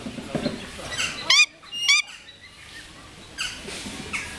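A young great grey owl gives two short, harsh, raspy screeches about half a second apart. Fainter scratchy background sounds are also heard.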